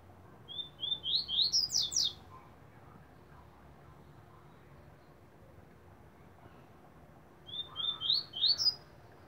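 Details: Double-collared Seedeater kept in a cage gives two song phrases, each a quick run of high, upward-sweeping whistled notes accelerating to a sharp, trilled ending, with quiet gaps between.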